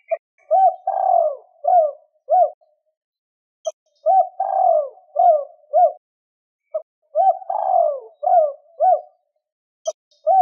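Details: Spotted dove repeating its two-ending (2 hậu) coo to stir wild doves, three even phrases over ten seconds, each with short hoots around a long descending note, and faint clicks between phrases.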